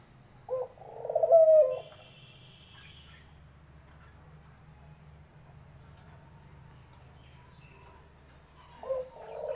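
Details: A dove gives one low, mellow coo phrase: a short opening note, then a drawn-out hoot. A long quiet pause follows before the next phrase begins at the end.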